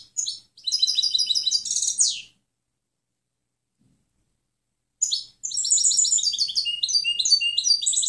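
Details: Clean goldfinch song used as tutoring for other birds. Two bursts of rapid, liquid chattering notes, the first ending in a downward-sweeping buzzy note, then a pause of nearly three seconds before a longer twittering phrase.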